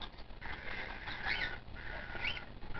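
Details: A 22-day-old male white-faced cockatiel chick, being hand-fed, gives two long, raspy, wheezing begging buzzes with brief squeaky rises, over low background rumble.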